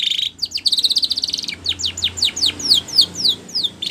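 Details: Canary song for training other birds: a rapid rattling roll, then a dense buzzy trill, followed by a regular series of downslurred whistled notes about four per second, with a low hum underneath.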